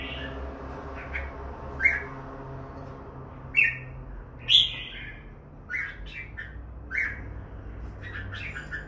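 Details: Red-whiskered bulbul, two birds present, uttering sparse, separate chirps and short squeaky whistled notes every second or so, some louder sharp accents, against a quiet humming background.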